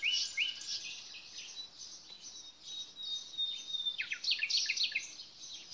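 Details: Nightingale song opening with a rising whistle, then thin sustained notes and a closing burst of quick, sharply dropping notes, with other birds chattering behind.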